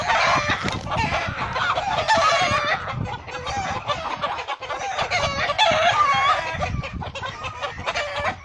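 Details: Hen defending her chicks from a hawk she attacks and kills: continuous harsh, loud squawking and screeching with rapid overlapping cries, mixed with scuffling and broadband commotion throughout.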